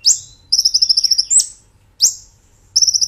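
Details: Kolibri ninja (brown-throated sunbird) in 'gacor nembak ngerol' style, taped as a training master for caged birds: piercing upswept shrieks alternating with fast, evenly beaded high trills lasting about half a second.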